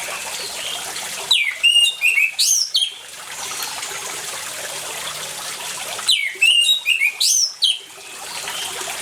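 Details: Orange-headed thrush singing vigorously, recorded with water sounds as a lure for quiet birds: two separate bursts of fast, rich whistles and twittering slides, each about two seconds, set in a steady wash of running water.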